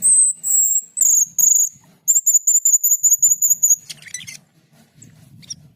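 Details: Asian pied starling giving long high piercing whistles, then a rapid train of clipped high notes repeated about three times a second, followed by a brief harsh scratchy burst.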